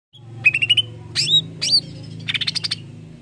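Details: Greater green leafbird song used to stimulate other leafbirds: a fast stuttered whistle series, two sweeping buzzy slurs, then a rapid trill, over a low steady hum.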